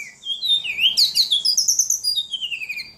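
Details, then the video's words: Hard-singing ledekan pours out a continuous warble: rising whistles lead into rapid pulsed high chirps that slowly drift downward over three seconds. "Burung ledekan paling gacor"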